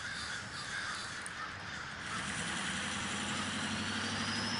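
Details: Crows massed in a large communal gathering in Davis, California, their overlapping harsh caws forming a thick, unbroken chorus, with a faint low hum in the background.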